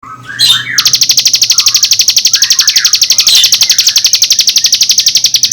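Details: Bar-winged prinia song used to provoke other birds: a rapid, buzzy, high-pitched note train repeated about four times per second, held steadily for nearly five seconds after a brief jumbled opening.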